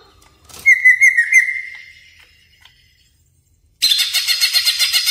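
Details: Greater green leafbird lure recording: a wavering whistled phrase with a few trilled ornaments fades into silence, then a loud burst of harsh, evenly pulsed chatter begins.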